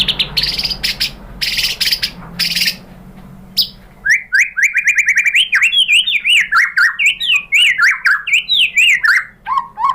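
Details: Lure song of a white-rumped shama for provoking a rival shama to sing: opening harsh buzzy bursts, then a lively series of rapid repeated notes and looping whistled phrases.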